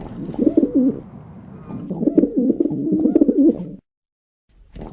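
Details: Loud pigeon coos, a short rolling phrase followed by a longer, drawn-out series of low throaty coos, ending abruptly in silence before another sound begins.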